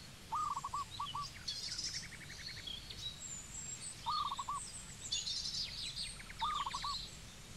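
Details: A zebra dove in Cambodia gives short bursts of soft, rolling coos, repeated every couple of seconds, while other small birds chirp and twitter higher above.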